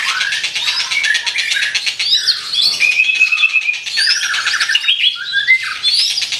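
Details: White-rumped shama in vigorous song: rapid buzzy pulses, a steady rattled trill, then varied whistled phrases that rise and fall.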